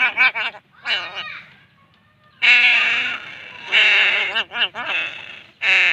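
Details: Crow chick begging while being fed: loud, harsh, nasal squawks with rich harmonics, given in bursts of varying length. Some calls are short and rapid, others drawn out. A short quiet gap falls in the middle.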